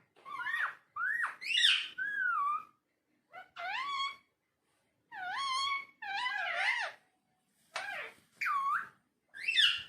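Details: Indoor talking parrot uttering a string of varied speech-like phrases, some whistled and bending sharply up and down, others quick and chattery, separated by brief pauses.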